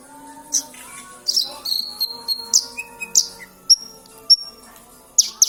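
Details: Horsfield's bush lark singing in Kediri: scattered high, thin whistles and sharp chirps, one longer steady note, separated by pauses of half a second or more, over a quiet low humming background.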